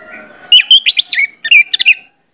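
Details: Orange-headed thrush lure song: two rapid bursts of varied, tumbling whistled and chirping notes, each about half a second long, over a faint steady background hum.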